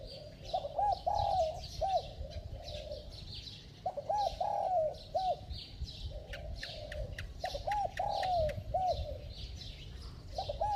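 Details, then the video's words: Spotted dove cooing in three clear phrases, each a cluster of low arched hoots with a long falling coo, separated by short pauses, over a background of high chirps from other birds. "Tiếng Chim Cu Gáy Giọng Chuông, Kèm Thúc Gù Tốc Độ"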